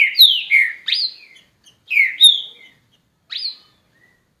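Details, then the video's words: Green-winged saltator, a named pet bird, singing loud whistled phrases: slurred notes sweeping down from high to mid pitch, in two bursts with a short pause, then a lone rising note; quiet background. "TRINCA FERRO"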